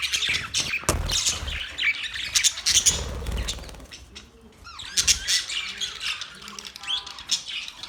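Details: Budgerigars, Australian parrots, chirping in busy bursts of high, scratchy chatter and squeaks, with a quieter gap mid-way and some low thumps and handling noises early on.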